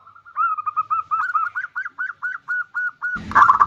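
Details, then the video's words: Bodronoyo zebra dove singing as a lure for other birds: a steady, even string of about fourteen short, slightly rising cooing notes, evenly spaced, ending in a loud noisy crash. "Pancingan perkutut bodronoyo gacor super ampuh untuk pancingan"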